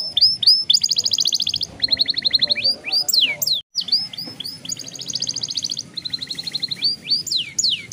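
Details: Repeated sections of buzzy rolling trills and sharp rising-falling slurs from a young canary, with a brief gap near the middle. This long roll is played to prompt other young canaries to start singing.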